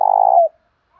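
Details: Half-second burring, vibrating coo from a spotted dove with a 'thổ pha' voice, used to provoke dueling. The coo sinks in pitch at its finish, with silence after and a faint note at the very end.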